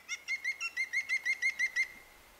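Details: A Levaillant's (Maghreb green) woodpecker at Oukaimeden, Morocco, in March 2012 gives a quick, even series of about eleven ringing notes, roughly six per second and steady in pitch, over a quiet background.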